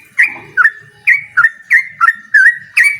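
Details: Yellow-vented bulbul calling out a rival: eight loud, clear whistled notes in three seconds, each dipping sharply then holding steady, spaced fairly evenly, over a soft low rumble.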